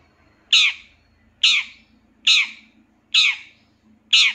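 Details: Long-tailed shrike master recording used to train captive birds: five loud rasping shrieks, evenly spaced a little under a second apart, each sharp onset trailing off, over a faint low hum.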